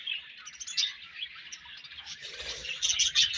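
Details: Budgerigars feeding and exchanging food make quick, high, twittering chirps in an irregular run of around three per second, with a faint low rustle midway.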